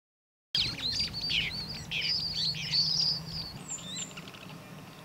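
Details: Several superb starlings in Samburu Reserve, Northern Kenya, chatter together in a rapid jumble of high whistles, slurred notes and squeaky chirps over a low background hum.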